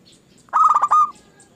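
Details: A single zebra dove phrase used as a lure to set other doves singing: a quick rolling series of soft, mid-pitched cooed pulses ending in a brief held note.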